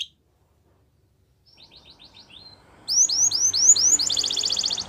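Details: Following a silent start, a Belgian canary delivers soft rapid twittering notes, then loud repeated upslurred whistles and a fast rattling trill near the end.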